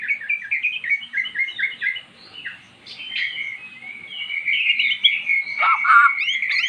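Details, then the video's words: Magpie-robin singing after being lured with recorded magpie-robin song, having never sung before: a series of short rhythmic whistled notes, a softer passage, then a long, run-on warbling phrase with a few sharp high notes. "Burung Murai jadi GACOR setelah dengar kicauan di YOUTUBE"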